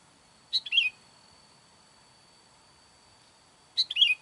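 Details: Calls of a sooty-headed bulbul meant to draw in wild birds: two loud, quick, tumbling phrases of sharp descending notes about three seconds apart, with a thin steady high tone in between.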